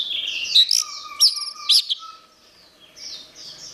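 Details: Orange-headed thrush in lively song: bright high chattering phrases with a few loud bursts, a soft sustained whistle below, then quieter high twitters after a brief lull.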